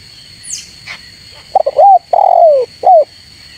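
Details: Spotted dove calling to rivals: a pair of quick stuttered coos, then a longer falling coo and a short final coo, all mid-pitched. A steady high electronic tone runs throughout, with faint chirps just before the calls.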